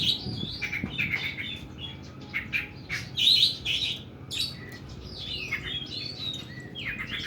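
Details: Long, rough 'nembak' song of an oriental magpie-robin: sweet whistled slurs interleaved with loud raspy bursts and mimicry-like twitters, uneven rhythm, a faint thump early on.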